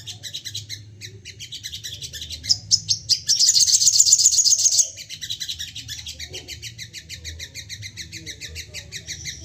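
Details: Crested jay in an agitated, excited mood, calling in bursts. Steady fast ticking runs throughout, peaking in a loud, dense, high rattle lasting about two seconds near the middle, then quieter rapid clicking.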